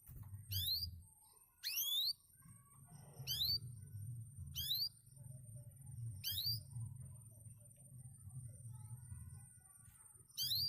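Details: Former contest canary uttering brief rising chirps every one to two seconds, single notes sharp and high, with steady low hum between them.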